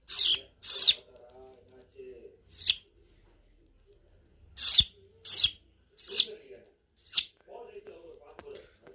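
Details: Budgerigar chicks being hand-fed give harsh, raspy begging bursts, repeated in uneven runs.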